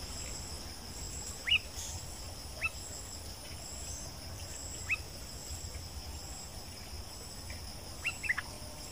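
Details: Wild bulbul near nightfall in breeding season: sparse, quick rising whistles every second or two, a closing pair of notes, with insects droning high and steady behind.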